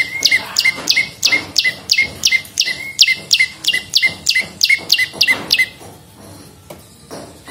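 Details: Prenjak lumut, olive-backed prinia, singing a lure or tutor song: rapid repeated sharp chipping notes, each dropping into a short level tone, about three per second, then stopping for the last two seconds.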